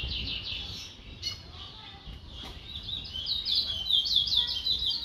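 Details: Chestnut-bellied seed finch, called towa towa in Guyana, delivering high, fast warbling trills in bursts, rising in loudness over the second half, with light ambient noise.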